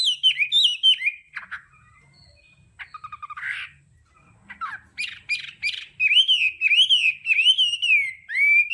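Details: Hwamei đảo âm song: descending whistles, a buzzy harsh interlude with short rattles, then a long run of rich rolling whistled phrases that rise and fall rhythmically.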